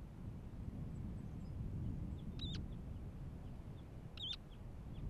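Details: Semipalmated plover calling on the Katmai coast of Alaska's Katmai National Park, June 2017: two clear, rising whistled notes about two seconds apart, with a constant low roar behind.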